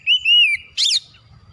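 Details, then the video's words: Kacer (Oriental magpie-robin) in gacor song: one long, smooth whistle gently rising then dropping, followed by a single harsh buzzy note. "KACER CEPAT EMOSI GACOR BONGKAR ISIAN"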